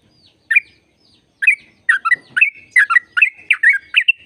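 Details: Sooty-headed bulbul long trilling song, played to make caged birds sing: a few spaced bubbly chirps, then a fast run of loud, liquid notes roughly every third of a second, mixing short whistles and warbled phrases.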